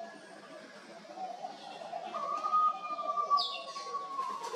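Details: Bruce's Green Pigeon: a soft, drawn-out, pure whistle holding one steady pitch for over two seconds, with faint higher chirps of other birds and a low background murmur.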